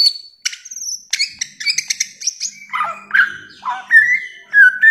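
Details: Bare-throated whistler song in a master recording: a long high whistle, then a fast jumble of mixed whistles dropping in pitch, ending in lower slurred notes, with a faint low hum.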